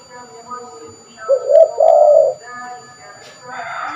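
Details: Spotted dove, a prolific caller used to lure birds, giving one deep, hoarse coo phrase around the middle, a short note followed by a longer rolling one, over faint, steady, tonal background sounds.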